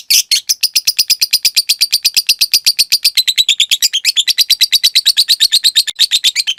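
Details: Lovebird in a long ngekek run, material for training caged lovebirds to sing at length: a rapid, continuous chattering trill of high notes, briefly wavering mid-way before resuming its even rhythm.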